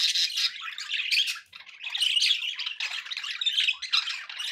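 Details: Pet budgerigars in a group chattering steadily, dense scratchy warbles and squawks mixed with brief chirps, nearly continuous with one short pause near the middle, over faint background noise.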